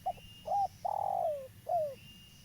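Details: Spotted dove of a local type, used as a trapping lure, giving one cooing phrase: a brief note, a looping coo, a long wavering drawn-out note sliding down, then a short falling coo, with a faint high whistle behind.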